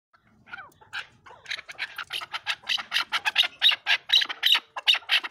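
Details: Chukar partridge calling in a quickening run of harsh, broadband chucking notes, starting sparse and faint, then building to about four notes a second, loud and steady by the end.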